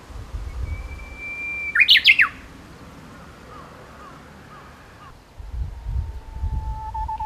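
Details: Japanese bush warbler singing as spring arrives: one long, steady whistled note, then a quick, loud, sharply rising-and-falling flourish. Faint short slurred notes and a low drawn-out whistle follow over a soft low rumble.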